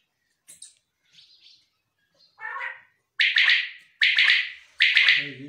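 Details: Common quail male (bulara), a kept bird. A few faint scattered notes lead into three loud triple-pulsed calls, bright and buzzy, spaced under a second apart. A low rough sound is heard at the end.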